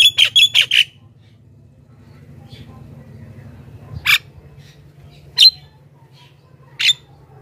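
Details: Javan myna lure sound: a quick burst of four grating notes, then three lone harsh squawks spaced more than a second apart.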